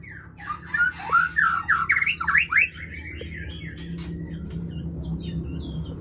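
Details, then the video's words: White-rumped shama of the Aceh type, a breeding female, giving a quick run of loud rising and falling whistled slurs that break into sharp squawky notes, then softer scattered chips over a steady low background hum. "Murai Aceh # Induk Super 5 Mun Ladong"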